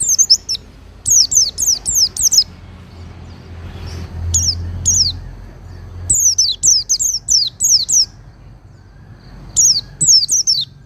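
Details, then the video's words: Oriental white-eye kept in a cage, used as training song for other birds: bursts of high, sweet descending notes in rapid clusters of four to six, separated by quiet gaps with faint low background rumble. "Masteran Pleci Durasi Panjang – Suara Halus dan Bertenaga!"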